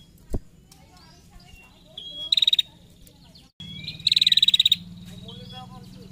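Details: Ngetir call of a female prinia, used to prompt other prinias to sing: a single sharp click, a short burst of high ticks, then a longer fast ticking trill, with thin whistles and a stronger low hum later.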